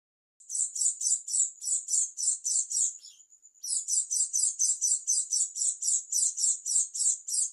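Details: Oriental white-eye of the dakun type from East Java giving an unusual song: rapid high buzzy notes, about four a second, broken by a thin steady whistle before the pulsing series resumes.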